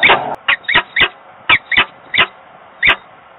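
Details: Peregrine falcon pair at a nest box in Włocławek, Poland, on 15 November 2022, meeting at a distance, one on the grille and one in the box: harsh, clipped notes repeated irregularly, some in quick pairs, recorded on a webcam.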